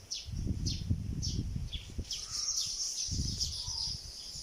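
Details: Sparrow building a nest of palm leaves, giving short, high, sharp chirps that sweep downward, repeated roughly twice a second, over loud low rumbling and thumping noise.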